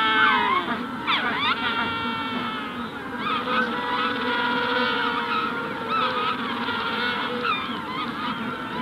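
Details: Colony of Magellanic penguins at hatching stage: a nearby adult gives rough, sweeping braying calls with abrupt upward slides, while many other penguins call steadily in the distance throughout.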